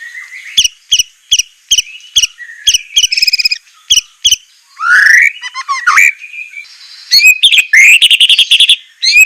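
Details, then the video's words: Murai training song, sharp and harsh: a steady series of repeated chip notes, then tumbling whistled phrases and a loud, dense rattling finale. "masteran besetan murai suara semelet suara pedas tembakan kasar"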